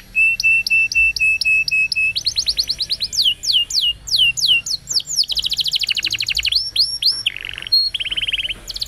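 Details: Training song for young canaries, performed champion-style: a continuous run of changing tours, with steady repeated notes giving way to rapid downward-sweeping whistles, fast trills and buzzy rolls, loud and clear throughout.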